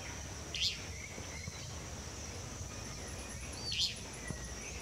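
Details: Pied water tyrant, always near the trenches, gives two short, sharp high notes about three seconds apart, over a steady insect hum and background noise.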